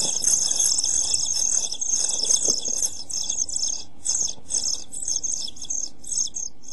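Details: European pied flycatcher chicks in a nest box on 27 June 2013, during food shortage and heat: a dense, continuous high hissing chorus of begging with brief pauses and a few stronger surges.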